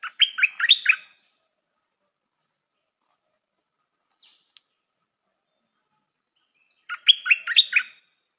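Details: A new stripe-throated bulbul decoy bird used for luring gives two bursts of quick, bubbly, rising-and-falling phrases about a second long, separated by several seconds of silence.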